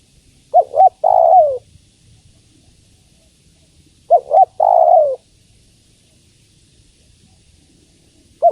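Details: Spotted dove, a female calling the male, gives low mellow coos: a quick double note followed by a drawn-out downslurred coo. Two full phrases roughly three and a half seconds apart, with silence between.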